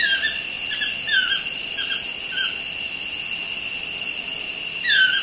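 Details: Two toucans chatting beside a studio window: a quick series of short falling squeals early on, a pause, then a louder sliding squeal at the end, all under persistent high-pitched hissing.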